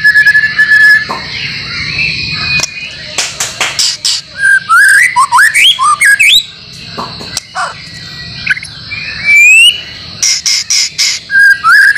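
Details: Training recording for caged White-rumped shama, mixed with filler songs of other birds such as canary and lovebird: sweet rising and falling whistles and buzzy bursts in short bouts separated by pauses, with a constant high-pitched hiss behind.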